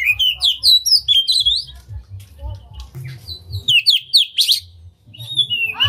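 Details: Oriental magpie-robin, tail spread, singing an unusual song used to rouse other magpie-robins. Bright, swooping whistled phrases and crisp chips come in loud bursts separated by short pauses, over a soft low background hum.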